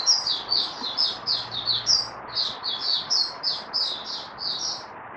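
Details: Mata puteh, a white-eye, working up its form at the start of singing: a fast, unbroken chain of high, sweet twittering notes, somewhat soft, over a low background hiss.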